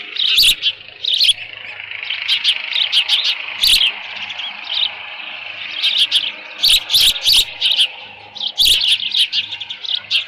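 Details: At a Dunrovin Ranch nest on 13 June 2018 near 11:37 AM, with leftover fish, an osprey gives loud, piercing chirps in irregular clusters, some notes sharply emphasized, over a faint constant hum.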